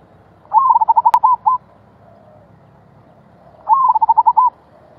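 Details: Zebra dove song in the 'gulung' rolling style: two quick bursts of staccato cooing notes, each about a second long and three seconds apart, with a single sharp click between them.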